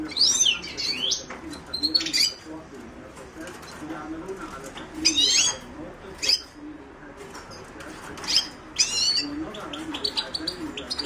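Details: A Himalayan goldfinch delivers a series of sharp, high-pitched twittering phrases, some rapid and clustered, others single bright notes, broken by short pauses, with a low murmuring background.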